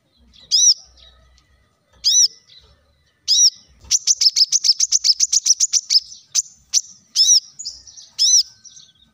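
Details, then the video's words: Plain-throated sunbird lure song for coaxing other birds to sing. High curved chirps at roughly one-second spacing break into a rapid sequence of about fifteen sharp notes, then return to single chirps. "kolibri kelapa | manggar | wiceh | masteran untuk burung ijoan agar cepat bunyi gacor"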